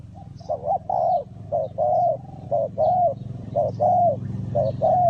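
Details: A spotted dove from Ninh Thuận, Vietnam, recorded where birds are trapped, repeating low rounded coos in short-long pairs about once per second over a steady low mechanical hum.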